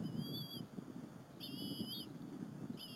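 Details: Bald eagle mother and two eaglets at their Berry College nest during an afternoon squirrel feeding, April 30, 2015: shrill, slightly quavering whistled notes in three bursts, with a rustling, breezy background.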